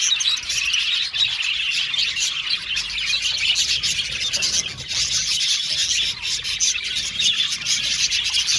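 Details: Singing budgerigar colony in an aviary, steady high chatter of overlapping chirps and warbles, briefly dipping in volume midway before the dense chorus carries on.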